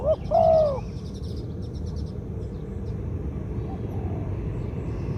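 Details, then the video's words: Spotted dove, medium-voiced candidate decoy bird, opens with a brief hooked coo and a longer falling 'koo-ang' note, then only low rumble and faint rapid high chirping of other birds follow. "2 กุก คูอ่าง คารม เสียงกลาง ตัวนี้น่าเก็บทำนกต่อครับ นกเขาใหญ่ต่อดิน เสียงนกเขาใหญ่"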